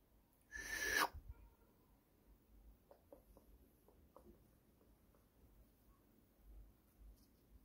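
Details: Young pet pineapple conure giving a single harsh, raspy screech about half a second long, followed by quiet scattered clicks and small taps in a small indoor room.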